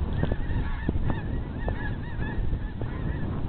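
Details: Huge flock of geese flying over Riverfront Park south of Bonner Springs, Kansas, on 28 February 2010. Many overlapping nasal honks, rising and falling, come in a steady stream under heavy low wind rumble.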